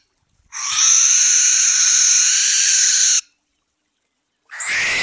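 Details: Barn owl at night delivers a very long, loud, harsh screech of nearly three seconds, steady throughout, followed after a pause by the start of another rasping call.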